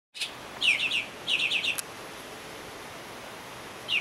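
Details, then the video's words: Bahama mockingbird in the Bahamas: two clear bursts of four to five quick, slurred, chirping notes, high-pitched and evenly spaced, with a short pause between bursts and the start of a third at the end; quiet background otherwise. "Bahama Mockingbird call"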